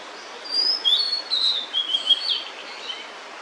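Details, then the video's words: A female blue-and-white flycatcher carrying food sings near its nest: a phrase of clear high whistled notes that step and slide downward over about two seconds, with a background hiss. "餌を咥えたまま鳴くオオルリ (雌) / Blue-and-White Flycatcher(female) singing while holding food"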